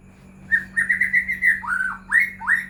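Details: Lure song of a white-rumped shama for prompting other shamas to sing: a quick string of bright whistled notes followed by a drooping slur and two sharp rising whistles, with a low steady hum behind.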